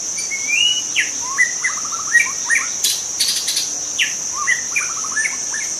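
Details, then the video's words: Young wild white-rumped shama singing in forest: a varied run of clear whistled phrases, sliding notes and quick stuttering trills, with a steady high-pitched insect drone behind it throughout. "Kicau murai muda hutan"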